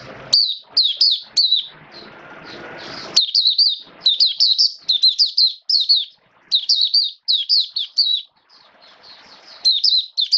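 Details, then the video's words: Caged Oriental white-eye kept as a hobby songbird, its diet adjusted for wet rainy weather, pours out a high, rapid song of twittering, down-slurred chirps in quick bursts, with brief pauses and some low background rumble. "Mata Puteh Buka Sing Raja"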